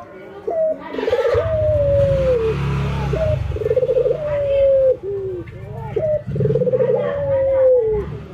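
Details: Ringneck doves, a white albino and a local bird, in routine training, nodding and laughing: a sharp upward note, a fast pulsed trill, then a long gently falling coo, given twice over steady low engine rumble and faint voices.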